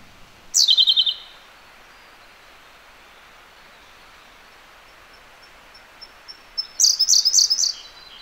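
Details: A Siberian blue robin singing close by in a gorge gives two bursts: a loud, high, descending rattle that settles into quick ringing notes, then after a long quiet gap a few soft ticks lead into a bright, rapid trill.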